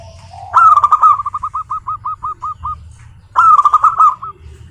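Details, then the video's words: Zebra dove, local type, singing to lure others into song. One long rising coo leads into about ten separate staccato coos, then a rich rolling phrase repeats after a pause. "suara burung perkutut, GURU VOCAL JITU atasi kutut lokal gacor untuk pancingan perkutut agar bunyi"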